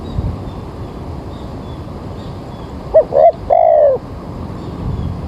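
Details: Single spotted dove phrase amid steady background hiss, recorded early one rainy-looking morning while trapping birds: two short hollow notes and a sustained falling coo midway, otherwise only noise.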